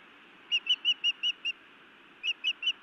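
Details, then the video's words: Feisty female osprey scolding her mate at a Montana nest in the evening, 31 May 2017: six clipped, high whistled chirps in a quick even run, then three more after a short gap, over constant hiss. "Feisty Iris scolds then bites Louis a time or two"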